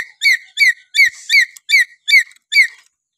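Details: Natural whistling of a lory in Papua: seven clear, harmonic, slightly descending whistles repeated at an even pace, ending in silence.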